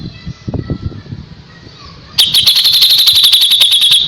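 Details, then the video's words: Kapas tembak used as a tutor for young white-rumped shama, sharp rapid-fire 'tembakan' phrase: after two quiet seconds of low rumble, a fast run of dry, clipped, ringing notes repeats several times a second until the end. "KAPAS TEMBAK GACOR JEDA RAPET"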